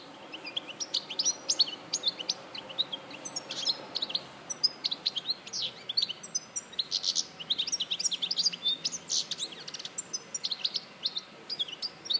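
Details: In Larache in 2014, a goldfinch sings a long, busy sequence of bright twitters, chips and short trilled runs, nearly continuous throughout.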